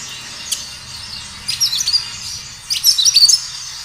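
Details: Kinoi bird giving two brief bursts of rapid, high, thin chirping notes about a second apart after a quiet start, with a low hum underneath, intended to draw a reply from other kinoi.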